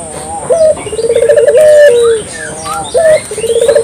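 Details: Local puter dove, clear lure call: a high opening note, a bubbling run of pulses and a long falling coo, then the next phrase begins. Faint birds twitter above.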